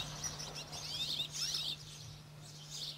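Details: Eurasian Crag Martins, recorded in Corrèze, France, as rare or passage birds, give high, dry twittering chirps in quick overlapping bursts over a steady low hum.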